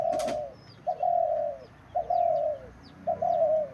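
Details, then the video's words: Tame captive dove giving a call styled 'jhumur', a series of drawn-out, level, slightly falling coos, about one per second, with short breaks between, plus faint high chirps of other small birds in the background. "ঘুঘুর ডাক ঝুমুর"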